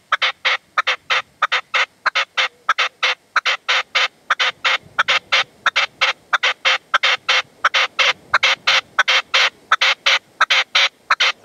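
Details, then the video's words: Sunset in the sierra at Manzanares, 27 February 2014: a partridge decoy (reclamo) and a wild male that stayed away. A long, steady volley of loud, harsh chuck notes repeats about one and a half per second without pause. "PERDIZ Y RECLAMO"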